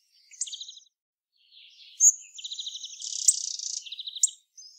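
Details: A hawfinch (Coccothraustes coccothraustes) utters a short buzzy phrase, a pause, a loud high tick, then a long rapid stuttering buzz of thin notes, a brief trill and a closing click.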